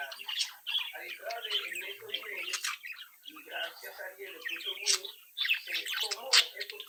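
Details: Captive young budgerigars, a home-bred brood, singing and mimicking; layered chirpy warble with clicks, buzzy notes and occasional high sharp tweets, several birds overlapping throughout.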